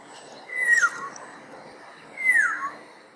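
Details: Black-naped oriole singing: two slurred notes, each sliding down from a bright high whistle into a lower, harsher tone, about a second and a half apart, over a quiet background.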